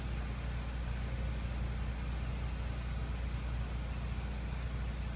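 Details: Steady low rumble of road traffic and engines with a hiss across all pitches, and no animal calls heard.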